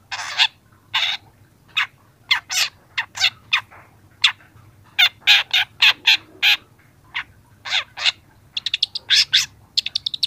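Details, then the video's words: Young long-tailed shrike in training-recording song: a long run of harsh, scratchy notes delivered singly and in pairs, ending in a rapid stuttering series of sharp ticks. "masteran cendet muda"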